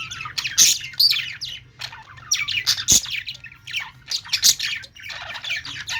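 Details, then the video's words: Several budgerigars (parakeets) chatter nonstop in high, scratchy chirps and squawks, overlapping in quick bursts, with a faint low hum underneath. "Budgies sounds | parakeet chirping sounds"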